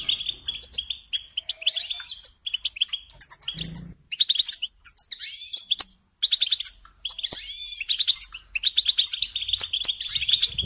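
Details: European goldfinch singing a fast, continuous twittering song of bright chirps and trills, with short pauses and bursts of rapid liquid notes throughout.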